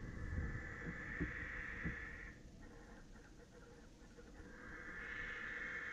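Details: Barn owls in a nest box at night, 16 January 2018, panicky and screaming on the ledge, the mother apparently angry; harsh, hissing screeches, one over two seconds, another after a short quieter gap, over low rumbling.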